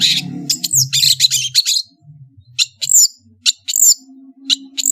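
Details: Madura long-tailed shrike in full varied song: a dense, scratchy chatter, then sharp downslurred whistles alternating with clicks and short rasps, with a faint low hum underneath.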